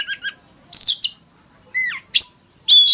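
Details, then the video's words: Oriental magpie-robin singing a fighting song: short double notes, then loud whistled phrases, a clear falling slur and a sustained high whistle. "Tiếng than mồi hót đấu"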